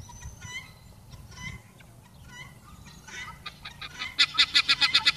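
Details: Pearl guineafowl on a sunny day give harsh, nasal calls, then break into a loud, rapid chatter of about a dozen grating notes, with a low background rumble.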